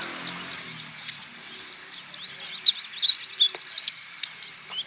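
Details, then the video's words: Natuna olive-backed sunbird, a male, in song used to coax other birds to sing; fast, irregular, very high twittering chips and short slurred notes running nearly continuously. "TERAPI KONIN IJOAN GACOR"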